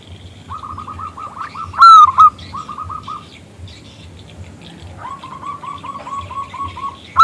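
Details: Local zebra dove, loud and clear-voiced, calling a male to respond; strings of quick, hooked coos are broken by a loud rising note, then resume in a long, steady series, with a final sharp note at the end.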